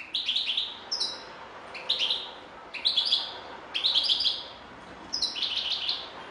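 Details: European goldfinch delivering repeated short twittery phrases roughly once a second, each a quick cluster of high chirps and trills.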